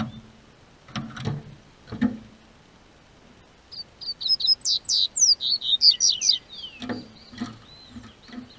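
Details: Double-collared seedeater singing in southern Brazil as spring weather warms: after low knocking thumps, a fast run of high, sharp chipped and slurred notes for about three seconds, then soft thuds resume.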